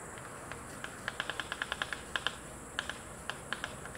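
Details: White stork (Ciconia ciconia) pair bill-clattering on their nest: a dry, wooden rattle of rapid clicks in uneven bursts, like a typewriter, over a faint steady background hiss.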